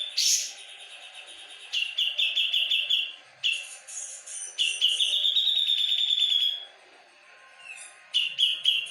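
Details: Energetic gacor singing by a Javan grey-cheeked bulbul: repeated bursts of quick, stuttering whistles, each stretching into a level, buzzy trill lasting one to two seconds, with brief silences between phrases.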